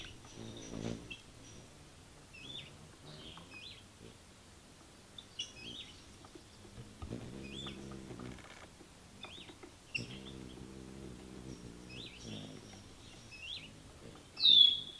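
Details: Ruby-throated hummingbirds contesting feeders: thin, high hooked chips spaced irregularly every second or two against a quiet background, with occasional low buzzy hums and a louder squeal at the end.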